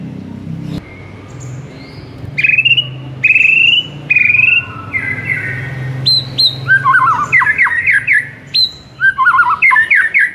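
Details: Shama song for provoking a silent white-rumped shama: after a click, several long buzzy whistles, then quieter notes leading into fast, tangled trills and sharp upslurs, a steady low hum beneath.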